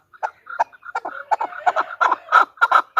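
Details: Female chukar partridge calling: a fast series of harsh chucking notes, sparse at first and growing louder and denser toward the end, with no other sounds.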